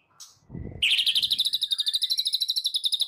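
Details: Shama (white-rumped) morning lure: after a brief whistle and a low rumble, a fast rattling trill of sharp, evenly repeated notes, roughly eight per second, running without a break.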